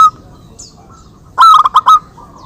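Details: Local zebra dove calling as part of a back-and-forth exchange used as a lure: a single short burst of clipped, rolling coo notes after a quiet stretch with faint distant calls.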